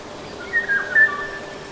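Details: Eurasian golden oriole in the Nagyerdő forest, Debrecen, Hungary, with cuckoo and raindrops, giving a brief run of fluty, mellow whistles slurring up and down over a faint steady background hum.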